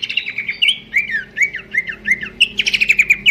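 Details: Pelanduk semak babbler in melodious song, used as a training master for birds: a short trill, then a series of five or six falling whistled slurs, closing with a fast bright trill over a low hum.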